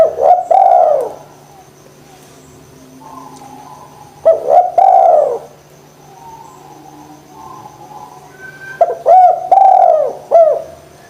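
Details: Spotted dove coo used as a lure to get idle doves calling: three hoarse, rolling phrases about four seconds apart, each a clipped note then a longer arching coo, over a constant low hum.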